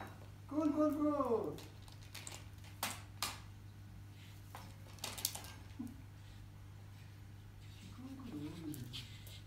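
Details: A female hand-raised umbrella cockatoo, born September 2017 in Iran and kept in Tehran, playing with toys: a loud, falling, voice-like squawk, then a softer wavering call, amid toy clicks and knocks and low room hum.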